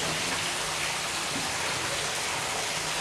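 Steady broadband hiss of heavy rain falling on a surface, with no animal voice heard.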